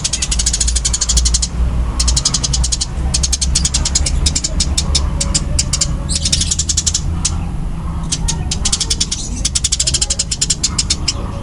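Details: Fighting-type Eurasian tree sparrow with fast, dense, loud calls: bursts of rapid high chirps alternate with rougher, noisier chatter and short gaps. A droning low hum runs underneath.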